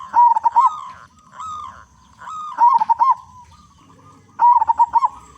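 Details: Local zebra dove with a big voice, used as a lure to make other zebra doves sing: three loud bursts of rapid, stuttering, bubbly cooing phrases, each about half a second long, separated by softer repeated mellow notes.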